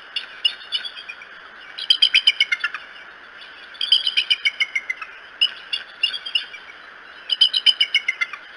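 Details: Decorah bald eagles at their nest, morning of May 13, 2018: repeated series of high, piping chitters, each run of about eight fast notes falling slightly in pitch, over constant hiss.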